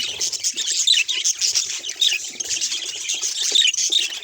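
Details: Pet budgerigar giving a dense run of rapid, scratchy chirps and warbled notes, high-pitched and continuous, with small sharp whistled accents scattered throughout and no other clear sounds.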